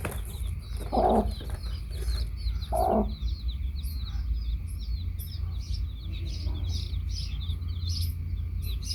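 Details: Baby chicks with a hen: two low clucks early on, then mostly thin, high, rapid peeping of chicks over a steady low rumble.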